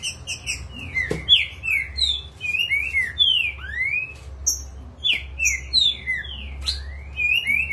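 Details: Green-winged saltator in peak form and worked up, giving bright whistled phrases that slide down and rise again, grouped in bursts of two or three, with a couple of sharp clicks and faint high twitters over a low hum.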